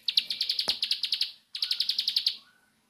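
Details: {'caption': "Bar-winged prinia giving a 'nembak' song: two quick bursts of about ten sharp, high, rapidly repeated chipping notes, separated by a short silence and ending in a faint soft whistle."}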